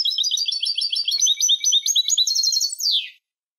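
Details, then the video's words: European goldfinch song meant for training young goldfinches: a rapid twittering run of bright, tinkling high notes for about three seconds, closing with a short descending buzzy slur; no other sounds. "الشريط الملكي لتسميع فراخ الحسون 2020 - Goldfinch Song - Jilguero Canto"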